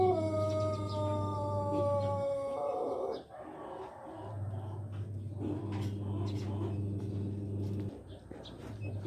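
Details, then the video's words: A Pelung rooster, an Indonesian ornamental breed kept for its voice rather than fighting, gives two long, low, drawn-out crows, each sustained for a few seconds with a wavering, almost howling tone. "Suara ayam pelung"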